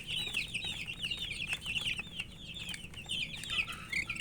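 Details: Coloured baby chickens calling out of thirst for water: a steady flock chorus of piercing, quick downslurred peeps overlapping constantly, one lower chirp standing out near the end.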